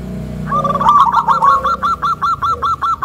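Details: Local Indonesian zebra dove singing a thick, rhythmic, soothing song said to provoke other zebra doves; a rolling coo breaks into a series of evenly spaced hooked notes, about two or three per second, over low background hum.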